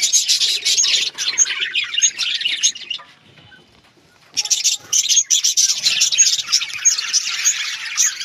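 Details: Busy chirping and warbling from a group of kept budgerigars, cut by about a second of near silence before the shrill, overlapping chatter starts up again.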